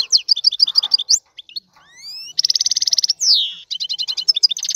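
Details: Excited male European goldfinch singing to stimulate a female to mate: bright, high, rapid twittering phrases, fast repeated chirp series, buzzy trills and clear rising and falling whistled slurs, densely packed with short pauses.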